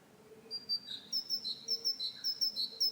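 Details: Great tit singing a see-saw series of paired whistles, high then lower, repeated rhythmically after a brief quiet start, with a faint low hum beneath.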